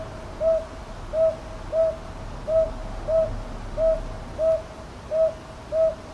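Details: Repeated calling of a northern boobook, Ichijoji, Sakyo Ward, Kyoto, 22 May 2023, TASCAM DR-100MKIII recorder: nine soft, rounded hoots on one pitch, delivered in a fairly regular rhythm about every 0.6 to 0.7 seconds against quiet low background noise.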